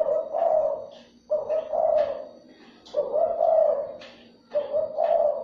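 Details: Spotted dove call played to stimulate and lure other doves: husky, mid-pitched coos in short phrases, four bursts repeating roughly every one and a half seconds, with a steady faint hum behind.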